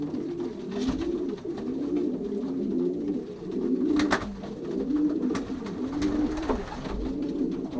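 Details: Many racing pigeons cooing together inside a Polish loft while pairing in the 2023 season, as males settle onto nest shelves. Deep, wavering coos swell and dip roughly once a second, overlapping densely, with occasional clicks and wing or foot knocks.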